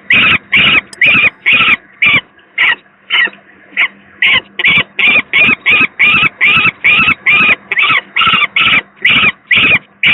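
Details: A young peregrine falcon, one of two chicks at a nest on the Gdynia power plant in Poland on 18 May 2023, reported as very unwell, gives harsh, rasping screams, two or three a second in a steady, insistent run.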